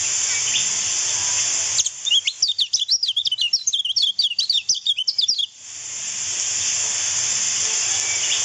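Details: Lemon-bellied white-eye singing as a tutor recording for other birds: about four seconds of quick, tinkling, very high twitters in dense strings, framed before and after by a steady high-pitched hiss.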